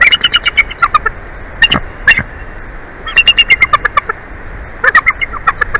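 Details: Bald eagles at their nest in Big Bear Valley, recorded by a live nest cam on 19 February 2024: series of high, thin chattering piping notes in quick runs, pausing between bursts, with steady wind-like background hiss.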